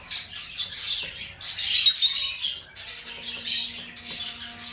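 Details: Singing lovebird gives rapid, raspy high chirps in dense runs, with a louder squawking stretch in the middle and a faint steady tone in the background.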